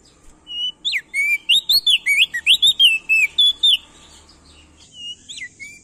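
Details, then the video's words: Loud male prenjak daun (ashy tailorbird) from Nusa Tenggara, used to stimulate crested white-eyes to sing: a rapid burst of slurred, whistled notes rising and dropping, then a pause and a few softer notes, over a faint background hum. "Burung Prenjak daun NTB Gacor Atas Bawah"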